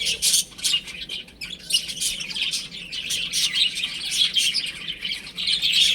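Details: Young chicks playing at home, their thin high peeps coming in clustered bursts with brief lulls between, many voices overlapping.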